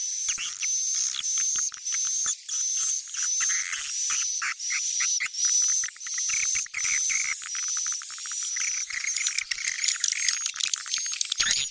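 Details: Edible-nest swiftlet calling sound, 'Sp Tarik Onar' style, used to attract swiftlets: clipped chirps in quick series under a sustained piercing whistle, growing rougher and more crowded near the end.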